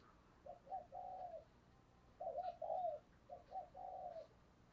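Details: Spotted dove used as a decoy, cooing in the "thúc gù" style meant to stir up wild doves: three soft, two-part coo phrases, each a short note then a longer purring one, over a steady hiss of background noise.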